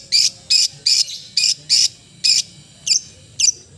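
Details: Long-tailed shrike, called cendet, singing a melodious song: a run of seven harsh, buzzy high notes spaced about every third of a second, then two short down-slurred whistled notes, over faint low background hum.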